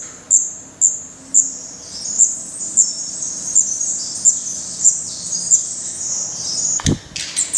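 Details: Nestling Black redstarts in Portugal, May 2020, filmed right beside the nest: high thin chirps repeated about every half second, growing softer and blurring into a hiss, then a loud brief rustling thump near the end.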